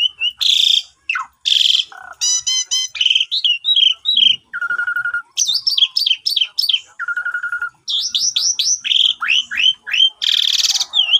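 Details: Javan pied starling singing continuously, used as a daily morning lure for a bird that has stopped singing, phone recording: harsh buzzy blasts, stacked chattering notes, repeated downslurred whistles and two level whistled tones.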